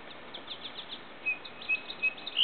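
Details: Song sparrow of the nominate subspecies Melospiza melodia melodia, recorded 7.8.12. A series of rapid, evenly spaced notes gives way to a few short clear whistled notes and then a buzzy ending, all over a low background hiss.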